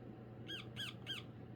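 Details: A young female pet Indian ringneck parakeet, which does not yet talk, gives three short, harsh, arched squawks about a third of a second apart in back-and-forth exchange with her owner, over a low indoor hum.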